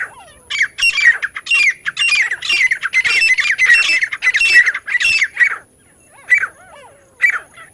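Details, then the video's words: Lure sound for catching partridges: a loud, rapid chatter of strident, buzzy notes. It slows to a few separate calls, while softer, lower whistled notes sound in the background. "एक से एक बढ़कर तीतर पकड़ने की आवाज! The sound of catching partridges is better than the other"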